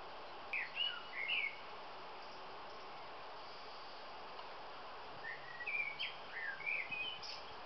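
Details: A male common blackbird sings two short phrases of mellow whistles and twitters about four seconds apart, over a steady background hiss.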